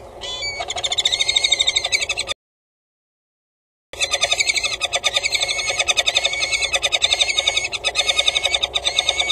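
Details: Peregrine falcons at a nest on a water tower at Axel, Netherlands, 6 March 2018, in the afternoon, during the mating period before any eggs were laid. They give harsh, rapidly repeated chattering notes in a steady stream, broken by a short silent gap.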